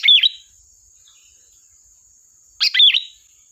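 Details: Sooty-headed bulbul song recorded for use as a lure, two short bubbly whistled phrases about two and a half seconds apart, with a quiet steady high hiss between them.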